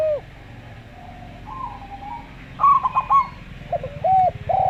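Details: Rolling staccato coos from a local Zebra Dove (perkutut lokal) in slow style, followed by short hooked coos from a Javan derkuku dove. A faint low hum continues throughout.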